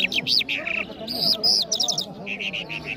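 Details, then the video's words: Singing Mashhadi jal bird, an Iranian songbird kept in Kabul. Rapid high whistled figures and sweeping notes, then a short run of evenly repeated chirps. Human conversation is audible behind the bird. "Jal Bird Singing |Iranian Jal Mashady Birds | جل مشهدي |طرقه پرنده مست و خواندي در کابل"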